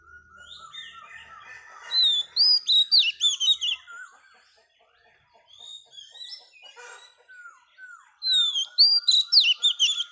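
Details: Female Oriental magpie-robin song used to stimulate males. Two loud bursts of high, rapid whistles and trills are separated by quieter, varied chirping and slurred notes.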